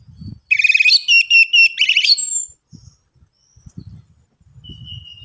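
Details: Orange-headed thrush lure for getting reluctant birds to sing: a dense burst of rapid, stacked chattering notes repeated in quick pulses, then quieter thin whistles over scattered low knocking sounds.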